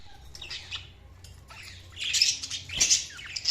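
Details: Budgerigars chirping: soft scattered chirps at first, then louder rough, squawky bursts of chatter in the second half.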